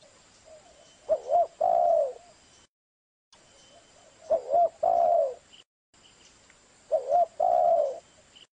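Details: Zebra dove singing three cooing phrases, each two short wavering notes followed by a longer, mellow, slightly falling coo, repeated about every three seconds with silent breaks between them.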